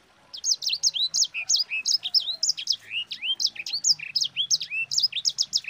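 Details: Sanger songbird in full, vigorous rolling song, kept as a tutor recording to train other birds. A rapid, unbroken stream of sharp high chirps and swooping whistled notes, several each second, over a faint low background hum.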